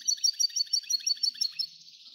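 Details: Bright, high notes from an F1 hybrid goldfinch, repeated evenly about six times a second, then fading into a soft, thin twitter.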